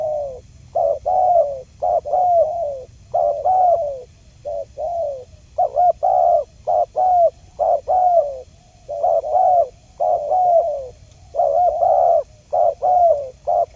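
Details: Spotted dove calls used as a lure for trapping wild birds: low mellow coos in quick clustered bursts, two or three notes at a time with short gaps, going almost without pause across the recording.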